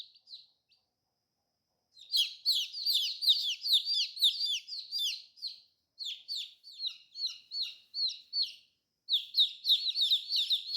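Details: Colorful baby chicks: a couple of faint peeps, a quiet stretch, then a loud flurry of shrill falling cheeps from several birds, pausing once before resuming.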